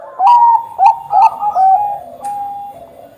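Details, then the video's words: Perkutut of Bangkok stock singing as bait for other zebra doves: sharp clicks, each followed by a short bright coo, four in a row, closing with one long steady whistled note. "perkutut bangkok gacor - buat pancingan perkutut bangkok agar cepat bunyi"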